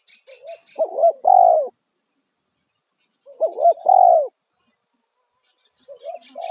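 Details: Two rounds of a loud spotted dove lure call, 'kuk satu' style, for luring wild doves: quiet opening coos, a choppy double note, then a long, booming coo, with brief high chirps from a small bird at the start.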